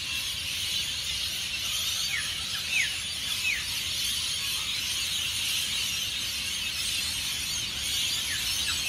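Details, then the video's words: Massed rainbow lorikeets, hundreds strong, leaving Norfolk Pine roosts along Burleigh Heads Beach before dawn; even wall of shrill chattering with several sharp falling squeals in short runs. "The noise of Hundreds of Rainbow Lorikeets at Burleigh Heads"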